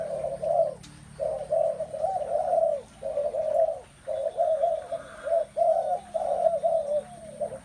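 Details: Dense spotted dove cooing: phrase after phrase of rounded low notes with only short breaks. A faint click sounds early and low hum continues throughout.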